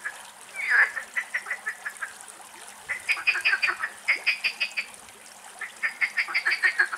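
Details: A Mallard family of this year's young with their mother, recorded from a distance in Greece in the last light of day, gives three bouts of short, nasal, harsh notes, six or seven a second, with faint higher peeping above.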